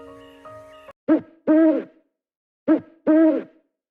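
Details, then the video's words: An owl gives two paired hoots, each a short note then a longer arched hoot, about one and a half seconds apart, after a brief musical tone. "about owl"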